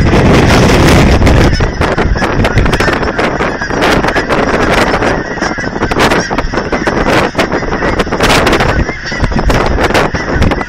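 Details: Thousands of geese crowd an aquatic center in Hereford, Texas, during feeding by visitors; rapid, irregular honks pile on top of one another over heavy wind and handling noise.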